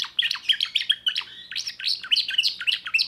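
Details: Young 2024 timbrado canary singing: close, loud rolling phrases with quickly repeated notes, slightly rising and falling, delivered in a continuous flow.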